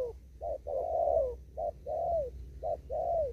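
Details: Fast 'thúc gù' coos of a spotted dove out in an upland field, Kon Tum: a short note then a drawn-out mellow coo sliding down, three such phrases, faint low background hum.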